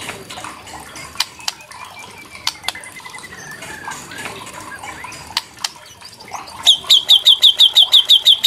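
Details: White-rumped shama song used to provoke other shamas into singing: scattered sharp clicks and a faint descending whistled series, then a loud rapid train of bright high notes repeated about three per second near the end, over a background of varied bird chatter.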